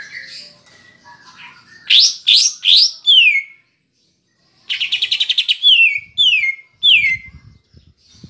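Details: Cucak ijo singing, used to rouse a caged bird: loud buzzy bursts and clear downward-swept whistles in short groups, a brief silence, then more rapid trilled notes and falling whistles with faint low knocks.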